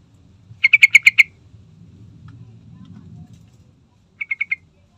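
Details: Sooty-headed bulbul (trucukan) lure recording for getting birds singing: a loud run of seven fast, harsh chattering notes, soft background rumble, then a quieter burst of four.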